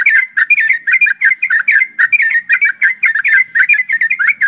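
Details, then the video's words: Flock of yellow-vented bulbuls singing rapidly and continuously, used to get other birds singing fast. Cheerful gurgled phrases repeat in a dense, overlapping chatter with no pauses, clear and close. "TRUCUKAN ombyokan,TRUCUKAN ROPELAN untuk bahan cepat bunyi"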